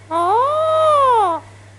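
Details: Alexandrine parakeet kept as a pet, talking with its owner: a single smooth, drawn-out vocal note over a second long that rises, holds, and falls, rich in harmonics, in a quiet room.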